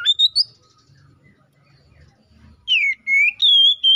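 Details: Oriental magpie-robin calling a rival: a few brief high whistles, a quiet gap with faint low rumbling, then long clear whistled notes dipping and rising again.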